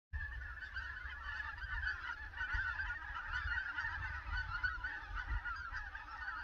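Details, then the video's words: Red-breasted geese calling as a flock: a continuous, overlapping chorus of high, yelping honks with no clear pauses, over a steady low rumble. "Red-breasted Geese"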